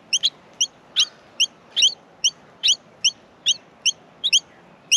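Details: Nestling Australian miners beg at the nest as they are fed: thin, high double-noted squeaks repeated a little more than once a second in an even, insistent rhythm.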